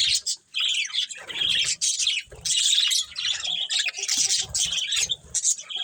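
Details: Budgerigars of a breeding colony with a breeding pair chatter continuously. Rapid high chirps, squeaks and scratchy warbles overlap throughout, broken by short pauses, with faint low thumps beneath.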